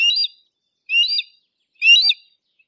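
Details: Three harsh, squealing notes from a Harris's hawk, evenly repeated about every second, each grating and slightly rising.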